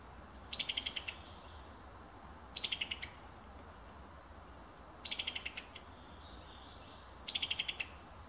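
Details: Summer tanager in Alabama repeating short staccato bursts of sharp, slightly descending notes. The bursts come four times, roughly every two and a half seconds, against a quiet background.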